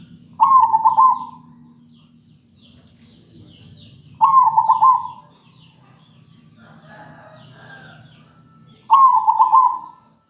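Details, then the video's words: Lure song of a zebra dove for training birds: three loud trilled cooing phrases, each about a second long, spaced roughly every four seconds, with faint softer chirps in between. "Suara perkutut gacor buat pancingan"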